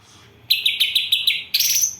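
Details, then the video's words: Greater green leafbird with gereja and kapas tembak isian: a quick series of six sharp, scratchy chips in one second, then a rising, harsher buzzy note. "Cucak ijo isian Gereja vs Kapas Tembak"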